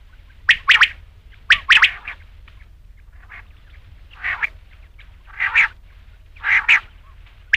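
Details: Batair or rain quail calling for hunters at night: clusters of two or three harsh clipped notes, loud at first, then softer, spaced about a second apart.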